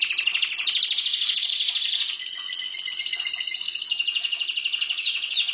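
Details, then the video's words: Domestic canary in full song, pouring out a dense, very rapid rolling trill that slides gently downward and ends in a couple of quick high sweeps. "Mon canari chant"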